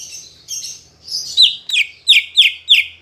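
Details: Green leafbird song played to prompt captive birds to sing, opening with soft warbling and then a rhythmic run of five or six sharp, down-slurred whistled notes repeated about three times a second.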